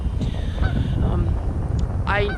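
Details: Canada geese honk with a nasal, harmonic blare near the end, at Pete's Pond Preserve, a local park with a pond and boardwalk. Steady low wind rumble and a person talking are heard.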